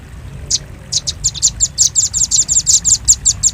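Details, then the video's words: Velvet-fronted nuthatch calls played as a bird lure: after a short pause, sharp high chips build into a steady, fast series of clipped notes. Faint low hum underneath. "Suara pikat burung rambatan paruh merah paling ampuh"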